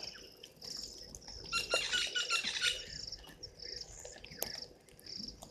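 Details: White-faced whistling ducks at Gowrie dam waterhole, Djuma Game Reserve, Sabi Sand Wildtuin, South Africa, at 17:52 on 02/12/2023; a brief burst of thin, overlapping whistled notes from several birds mid-clip over a steady high-pitched whine and faint background noise.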